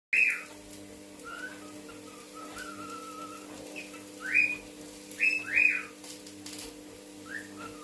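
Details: Eboo, a family pet cockatiel (Nymphicus hollandicus), whistles the learned human tune "Don't Worry Be Happy" in clear, bright notes with short sliding phrases.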